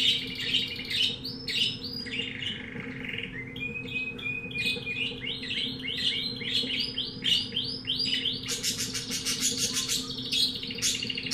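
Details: Canary of undetermined type, a keen singer bought from a pet shop: chains of quick downslurred whistles repeated in series, changing pitch, ending in a dense high rattling trill, with a steady low hum underneath.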